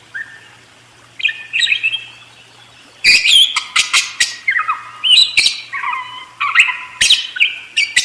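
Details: Budgerigar singing: a fast, chattering warble of harsh squawks, clicks and buzzy notes mixed with short whistled slides, sometimes dropping to lower tones, delivered in dense bursts after a quieter opening phrase.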